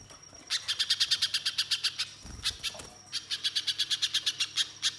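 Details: Spiderhunter song used as a lure to prompt other birds to sing: two bursts of rapid, sharp, high chirps, about ten per second, separated by a brief pause with a thin steady whistle in the background.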